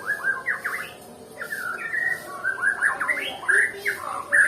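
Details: Nias white-rumped shama, noted as a lazy singer, pours out quick varied phrases of slurred whistles and rising chirps, loud and close, with brief gaps between bursts.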